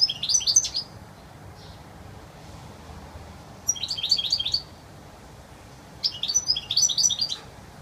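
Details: European goldfinch singing a clear, pure wild-style song: three bursts of rapid, high, tinkling twitters, each about a second long, separated by quiet pauses.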